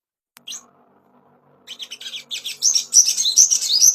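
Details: Ashy tailorbird song played as a master lure to bring on breeding condition: a brief high note, a quiet gap, then quick, sharp chirps building into a loud, dense run of high twittering notes.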